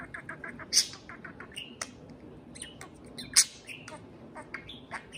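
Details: Pet parakeet singing to a can of beer. Strings of rapid ticking notes are broken by two loud shrill squeaks and several short buzzy warbles.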